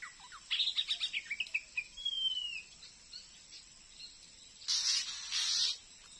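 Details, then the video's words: Wild Oriental magpie-robin stuck on a glue stick by a house while still challenging a decoy: a quick run of chattering chips followed by a long, smooth falling whistle, then rustling noise. "KACER GACOR FULL DAN FIGHTER || KENA PULUT MASIH BERANI MELAWAN PIKAT SAYA"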